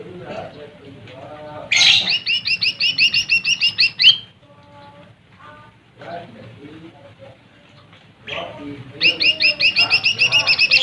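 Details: Lesser green leafbird song, used to provoke rival birds: two bursts of rapid, repeated bright chattering notes, each lasting about two seconds, separated by quieter, lower warbling and background twitter from other birds.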